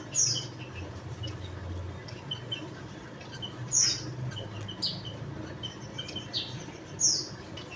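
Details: Javan munia, locally called emprit bondol jawa, giving short, high, thin chip notes at irregular intervals, four clear calls over a low steady background rumble.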